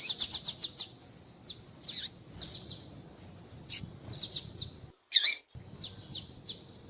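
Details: A female double-collared seedeater calls males with a fast burst of high ticks, scattered chirps and buzzy notes, then one loud sharp chirp after a short silence, followed by more ticking.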